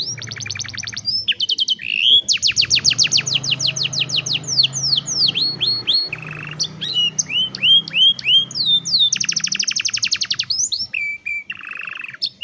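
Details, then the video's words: Canary song for training young canaries, recorded on a cellphone: long fast trills of repeated notes, runs of falling whistled slides and a brief buzzy roll, continuous and loud throughout. "Mejor Entrenamiento Para Jóvenes Canarios | Canary Singing"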